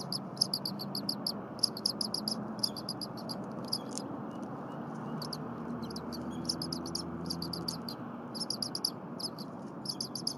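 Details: Eaglet at the Berry College nest, January 23, 2022, 8:00 AM, with a full crop, calling incessantly while the mother returns and preps stiff, likely frozen leftover prey. High thin chirps come in quick bursts of four to six over a steady low hum.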